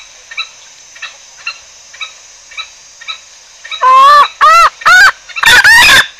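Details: Green junglefowl lure sound for trapping: soft clucks repeat steadily about twice a second, then give way to four loud, strained, harmonic calls that bend upward and down and are close together.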